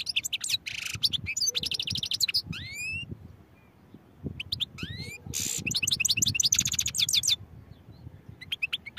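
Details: European goldfinch in full song, mixing quick trilled runs, rising whistled slurs and a loud buzzy burst, with a brief lull in the middle before rapid twittering resumes.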